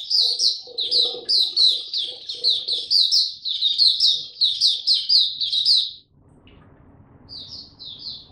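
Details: Male white-eye (mata puteh) with developing, maturing song, recorded 9 February 2022: rapid run of high, sweet chirping notes, each slurring downward, strung closely for six seconds, then quiet hum and two more short notes.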